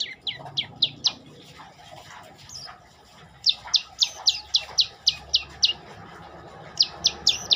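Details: Olive-backed tailorbird delivering rapid strings of high, sharp, downward-curving notes. After softer chatter in the middle, a steady burst of about ten notes follows, then a few more at the end.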